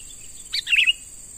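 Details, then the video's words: Young wild sooty-headed bulbul caught by trapping, being trained to serve as a lure bird; a single short chirpy phrase of a sharp high note followed by a bright whistled two-part call, over steady insect hiss. "Burung Kutilang MUDA HUTAN Mulai Dilatih Untuk Jadi Pikat Handal"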